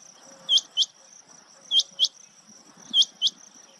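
Rain quail giving sharp, high, metallic double notes, 'whit-whit', the pair repeated about every 1.2 seconds over a steady high insect hum.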